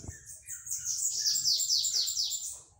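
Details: Bananaquit singing in the pitiú song style on 11 November, a Saturday: a faint string of very high, thin, descending buzzy notes repeated rapidly, over a low rumbling background.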